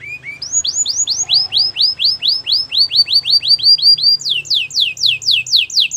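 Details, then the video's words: Belgian singing canary, said to seduce other canaries, repeats clear arching whistled notes about three per second, shifting higher toward the end, over a faint low hum. "A special canary to seduce all the canaries - The belgian singing canary"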